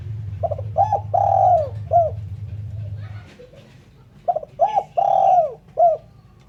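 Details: Spotted dove, recorded clean for luring birds, giving two rhythmic cooing phrases: short stuttering notes, a long sliding falling coo, then a brief final note; a low steady hum runs under the first phrase.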